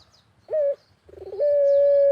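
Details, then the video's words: Barbary dove (puter) cooing actively in a countryside setting, used as a lure recording: a short note, then a fast pulsing stutter rising into a long, steady, mellow coo that is cut off at the end; faint high chirps of other birds. "BURUNG PUTER GACOR SAMPAI MEREM MELEK"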